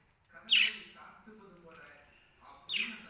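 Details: Lovebirds kept in a cage, sounding happy in the morning during cage cleaning: two sharp, loud, high chirps about two seconds apart, with softer chatter and a low murmur between them.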